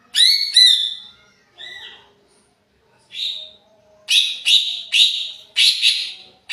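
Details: Greater green leafbird in an agitated state, lure recording: pairs of bright whistles, then softer notes, building into a quick series of rich, slightly harsh whistled phrases near the end.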